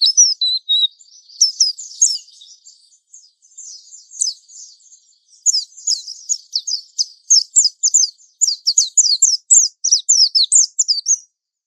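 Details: Mountain white-eye lure song for young birds in training, opening with a rising whistle and short notes, a quieter warbled stretch, then a long fast series of sharp, downslurred high chirps.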